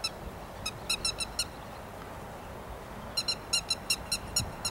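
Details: Grey-headed lapwing in rice fields on 13 May 2021: two clear bouts of loud, sharp, ringing notes, about six in quick succession each time, separated by a quiet gap of nearly two seconds.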